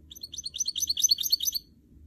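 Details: Goldfinch mule, a canary and goldfinch cross kept as a trained cage singer, delivering one rapid high-pitched trill of tight chirping notes lasting under two seconds, then quiet.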